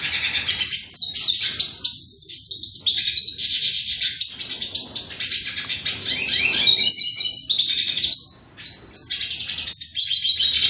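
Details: Hooded siskin pouring out a long, fast twittering song of mixed trills, squeaky whistles and buzzy phrases, briefly pausing near the end before resuming, with light low-frequency hum behind.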